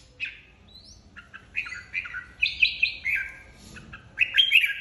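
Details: Flock-leader red-whiskered bulbul, recently removed from an aviary, in contest singing: scattered soft notes build into loud, chattering, whistled phrases in the second half, ending with a bright rising flourish.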